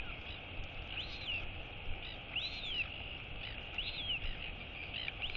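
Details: Female royal albatross chick wheeing as her mother feeds her, 23 August 2022. Soft arched whistles roughly every 1.4 seconds, partly buried under heavy broadband hiss.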